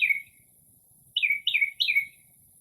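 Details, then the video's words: Northern mockingbird singing late at night in early spring outside a home, mimicking various birds in stillness without urban noise: one bright descending phrase, a pause, then the same slurred phrase repeated three times in quick succession. "Northern Mockingbird Mimics Different Bird Calls"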